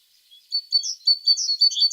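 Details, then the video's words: Short burst of tit song: a faint start, then a run of bright, high chirped notes, each brief and closely spaced, alternating between slightly lower and higher tones. "The sound of a tit singing"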